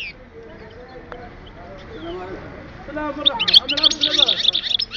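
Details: European goldfinch from Oued Souf, recorded in 2010; faint background murmur gives way in the final seconds to a burst of quick, bright twittering song notes.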